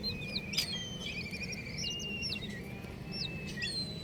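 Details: Colourful baby chicks giving a chorus of thin, high chirps: short arched and stepped peeps from many birds, some drawn-out level whistles, all fairly quiet over constant hiss.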